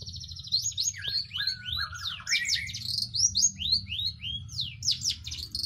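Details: Long-tailed shrike in full song, delivering a fast, varied stream of sharp whistled slurs, rising and falling swoops and chattering notes with hardly a pause, over low steady background hum.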